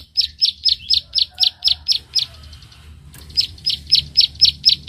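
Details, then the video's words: Bar-winged prinia sparring with a rival, calling in high, sharp 'klik' notes about three per second. The notes stop for about a second, then resume in an even series against a quiet low hum. "prenjak klik gacor narung lawan"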